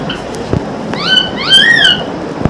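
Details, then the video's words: Pet talking parrot that wakes its household early every morning: a few rising whistled, voice-like syllables with clear harmonics, one long upward-sliding note, over room noise. "non stop talking parrot"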